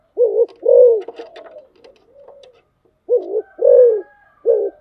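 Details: Spotted dove used as a decoy, cooing in low, rounded notes: a short note and a longer note, then a pause with faint rustling and clicks, then another short-long pair and the start of a third.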